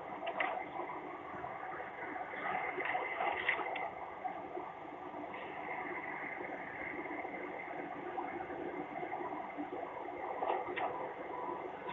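Steady broadband rushing like water or wind noise, with occasional faint clicks and no clear animal call.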